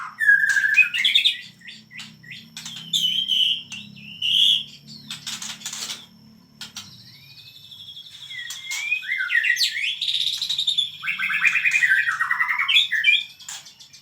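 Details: Energetic song of a white-rumped shama: varied loud whistles, slurred notes and rapid buzzy trills delivered in bursts with brief pauses, over a low background hum.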